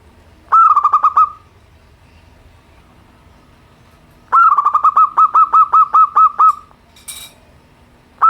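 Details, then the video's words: Local zebra dove from Indonesia giving simple cooing song, used to coax reluctant birds to sing: a short burst of rapid staccato coos, then after a pause a longer run of about ten even, quick coos, ending with a brief noise. "perkutut lokal suara sederhana, untuk terapi burung malas bunyi"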